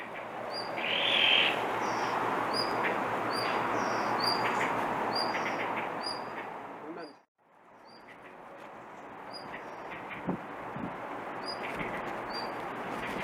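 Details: Blue rock thrush keeps calling instead of singing its fine song: a run of brief, thin, high whistles repeated several times a second, one brighter chirp near the start, and steady hiss that fades briefly midway.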